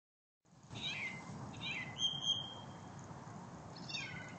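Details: Thrush singing on 4 January 2014, a few short, clear whistled phrases, some sliding downward and one held steady, about a second apart over a steady rushing background noise.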